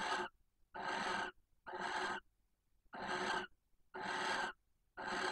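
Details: Barn owl pair at a nest box in Cabañeros National Park, Spain, at night during mating; the female gives harsh, breathy hissing screeches calling for the male, each about half a second, repeated roughly once a second.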